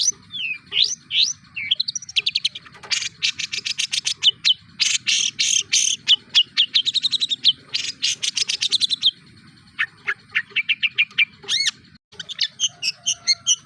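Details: Long-tailed shrike (cendet) singing a mimicry-rich medley: slurred whistles open into dense buzzy, rattling bursts, then runs of rapid evenly spaced chips and short sweeping notes, with a brief break near the end.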